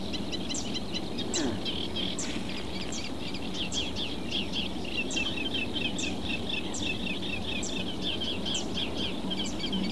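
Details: A reed warbler in a southern Portuguese reed bed chatters on steadily, dense scratchy high notes in quick succession, accompanied by a constant thin whine and low background rumble.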